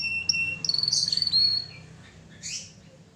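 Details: Canary giving lively, melodious song used as a master recording for training: a thin steady high whistle, a short chirp, then a fast rattling trill of about a dozen pulses lasting under a second, ending in a faint buzzy note over a low hum.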